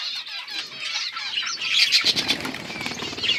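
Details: Budgies recorded October 27, 2023, keep up a steady high warbling chatter, joined after about two seconds by rustling and fluttering noise beneath the chirps.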